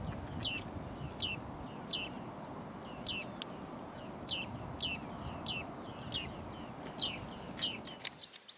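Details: Bearded tit fledglings calling: short, bright metallic ping notes repeated steadily about every 0.7 seconds, with a soft background hiss and a dull knock at the very end.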